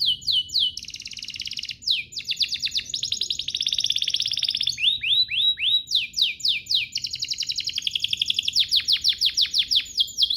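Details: Canary song meant to draw other canaries into singing: sweeping notes alternate with fast rolling trills throughout, with repeated rising whistles in steady series and brief pauses between phrases.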